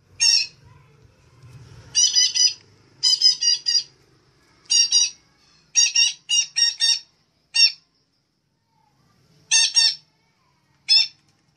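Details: Red-breasted parakeet lure call used for bird trapping: harsh, rasping squawks in short bursts of two to four notes, repeated irregularly with gaps of about a second; faint low rumble early on.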